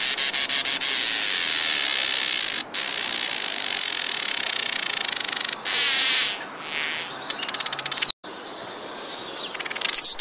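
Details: Village weaver, or black-headed weaver, from sub-Saharan Africa; a long, steady sizzling buzz that fades into scattered short chirps and squeaky notes, with brief pauses between bursts.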